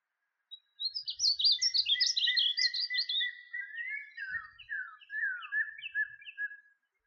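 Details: Painted bunting (Passerina ciris) song: a quick, sweet warble of high, jumbled notes lasting about three seconds, followed by lower slurred whistles, with northern cardinals calling in the background.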